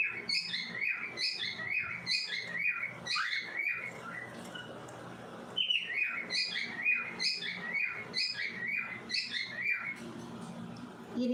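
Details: Two baby cockatiels chirping give rapid, high chirps, several each second, in two long bursts separated by a brief lull.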